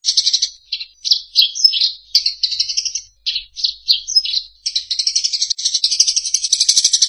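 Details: Eurasian tree sparrow, captured as a training sound for songbirds to imitate: a string of short, sharp, high chirps in irregular clusters for about four seconds, giving way to a continuous rapid, buzzy chatter.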